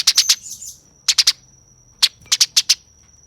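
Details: Fighting Eurasian tree sparrow giving short clusters of two to four sharp, high chips, with a faint steady whine behind them.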